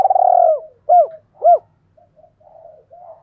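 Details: Spotted dove used as a lure in Hai Hau, Vietnam: a long pulsed coo sliding down, two arched notes, then quiet low gurgling murmurs.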